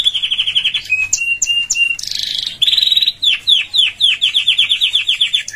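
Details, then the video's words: Canary singing, meant as training material for pet canaries: a level rolling trill, short whistled notes, a buzzy burst, then a run of fast down-slurred chirps about four a second. "Canary Singing - Most Powerfull Song For Training"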